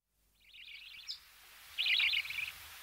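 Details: Budgerigar chicks being fed in the nest, close up: two bursts of high, buzzy, wavering chatter, the first faint, the second louder near the end.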